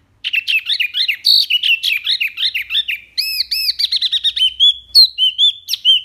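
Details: Clear wambi song with rapid-fire phrases for tutoring pet birds: a continuous, fast, varied warble of twisting, rising and falling whistled notes, then quick repeated arched notes and steadier high whistles.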